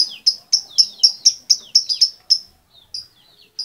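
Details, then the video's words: A female lovebird calls the male in a rapid series of sharp, high, slightly descending chirps, about four per second, slowing and thinning toward the end. "SUARA LOVEBIRD BETINA MEMANGGIL SI JANTAN"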